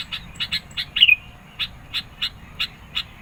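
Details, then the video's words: Sooty-headed bulbul song aimed at rivals and used as a lure: evenly spaced sharp chips, about three per second, with one brief whistled twist early on. "SUARA BURUNG KUTILANG GACOR NGOTOT. MENEKAN LAWAN, CEPAT RESPON.."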